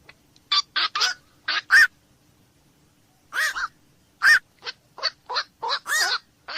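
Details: Black-crowned night heron: a quick cluster of harsh croaking barks, a pause of over a second, then a longer string of short, rough calls.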